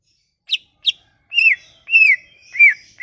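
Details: Sumatran leafbird song, a lure for leafbirds that have stopped singing: two short, high sharp notes, then three longer, fuller whistles that swell and slide down.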